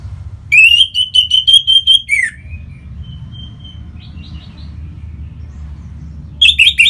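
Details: Orange-headed thrush singing to draw song from other birds: a rapid series of strong chirped notes on one pitch, dropping into a low slurred whistle, quiet thin notes, then another quick burst; low hum throughout.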